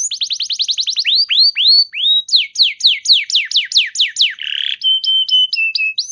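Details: A canary, its song played as a lure to prompt other canaries to respond and sing, gives a fast, varied run of high phrases: rapid chip trills, falling sweeps, a buzzy rattle, then steady whistled notes.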